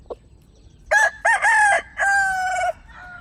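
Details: Home-kept chickens: a rooster gives a loud crow in four parts, two short harmonic notes followed by two long drawn-out notes, with a faint cluck just before.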